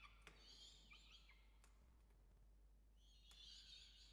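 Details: Peregrine falcons during an evening chick feeding at a nest in Orange, Australia, 5 November 2021: a burst of shrill, scratchy squealing, then a quiet pause, then another strained, wavering squeal against faint background hiss.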